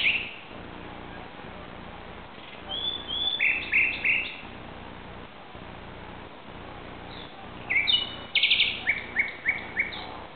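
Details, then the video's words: Nocturnal song of a common nightingale, Barcelona, Spain, 2:30 am on 17 May 2009: a phrase of repeated chopped notes, a long silence, then a loud burst ending in a rapid series of five or six evenly repeated notes; steady hiss behind. "Canto Nocturno de un Ruiseñor"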